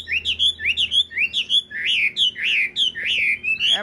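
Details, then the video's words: Caged Chinese hwamei with bright eyes, a tame bird also kept for fighting, singing a string of loud slurred whistles, each looping up then down, repeated about every half second with barely a pause. "chim thuần sách lồng vẫn hót | Họat Họa Mi"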